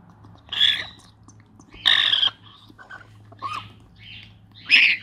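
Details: Hand-fed African grey parrot chick during feeding, giving harsh, raspy squawks in short bursts about every one to one and a half seconds, some with a nasal rising tone, over a low steady hum.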